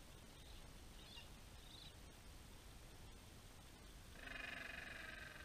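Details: Gentoo penguins at Orne Harbor, in a colony stretching as far as the eye can see. After quiet wind noise, a loud harmonic, nasal call begins near the end and holds steady for over a second.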